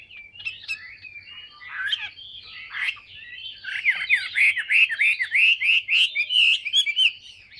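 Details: Caged, fully tame, large-bodied Chinese hwamei singing at length: a rich, varied stream of loud whistled and slurred phrases, ending in a rapid series of falling notes repeated several times per second.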